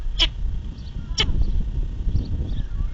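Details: Osprey chick sneezing in its nest on Long Island, 26 July 2016: two short, sharp, explosive bursts about one second apart over a steady low rumble of background noise.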